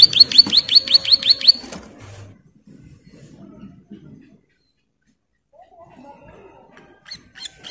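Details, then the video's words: Female bar-winged prinia in breeding condition calling its mate: a rapid burst of about eight sharp, high, evenly repeated notes lasting under two seconds, then near silence with faint low rustles and a few soft high notes at the end. "SUARA CIBLEK SAWAH MEMANGGIL PASANGAN GACOR NGEBREN"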